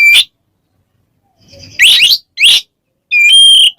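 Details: White-rumped shama ngeplong calling an opponent: a short whistle, two harsh buzzy upslurred notes, then a long steady pure whistle with bright overtones, faint low rumble before the rasps.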